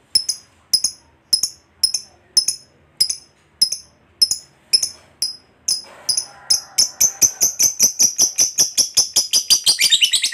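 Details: Lovebird of the fighter type, a long recording meant as a lure to make other lovebirds start their long chattering ngekek; high, sharp chirps repeated about every half second speed up into a dense, rapid trill.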